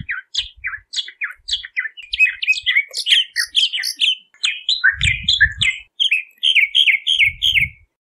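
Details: Singing Bahama mockingbird delivering a long, varied stream of sharp chirps and slurred notes, phrases changing every second or so, some repeated two or three times, with soft low rumbles in the background.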